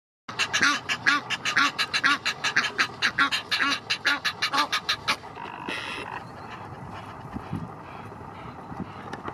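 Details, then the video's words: A male Egyptian goose at Strandbad Blies, Ludwigshafen am Rhein, gives a rapid run of harsh, hoarse puffing calls, about four a second for five seconds, then falls quiet over faint background noise. "Egyptian goose male call / Nilgans Mänchen ruf"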